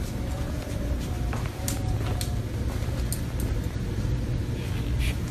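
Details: Steady low traffic rumble with scattered sharp clicks and knocks, no animal voice heard.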